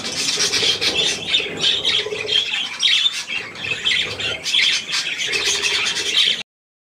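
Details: Budgerigars and their young eating millet on 3 May 2024: continuous shrill chatter and rasping squawks from a group, ending abruptly in silence.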